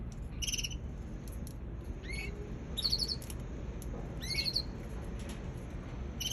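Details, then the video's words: Baby canary uttering quick high pulsed trills and a few upward-sliding whistled notes in separate bursts, quiet overall, set against a continuous low-pitched background noise. "Baby canary"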